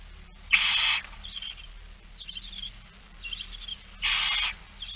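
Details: Barn owl feeding scene, Friesland, 8 September 2019: two loud breathy hisses about three seconds apart, with fainter scratchy chittering hisses from other birds in the gaps.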